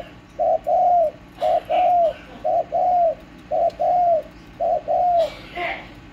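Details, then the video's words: Spotted dove kept at home, recorded 31 March 2024: low mellow cooing in paired notes, a short coo then a longer falling one, about six pairs in six seconds, with a brief rustling noise near the end. "Chim cu gáy nhà tôi"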